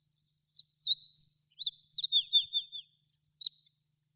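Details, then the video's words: Olive-backed pipit singing from atop a flowering tree: a fast, high-pitched jumble of thin buzzy trills and sharp descending chirps, running about three seconds with a brief pause, then a few closing twittered notes; no other sounds. "ビンズイ（2）さえずり - Olive-backed Pipit"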